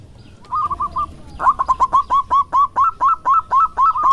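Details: Loud local male zebra dove courting: a soft run of quick coos, then a long, steady series of louder, clipped rolling notes repeated roughly five per second.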